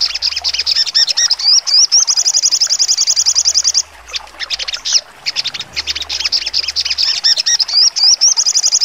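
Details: Sogon, crimson sunbird, singing trotol with sharp high notes: a long, fast, level trill of piercing notes after a few looping whistled slurs, then broken bursts of scratchy chirps and more trilling.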